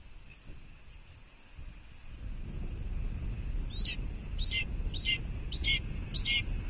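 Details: Red-tailed hawk nest at Cornell, 06.05.2021 at 14:32: after a quiet start, five high clipped rising-falling notes, evenly spaced, with heavy wind noise.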